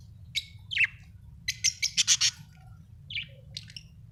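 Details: Happy budgerigar chirping: a few sharp single chirps, then a quick burst of five loud, harsh, buzzy notes in a row, followed by softer scattered chirps, over a low steady background hum.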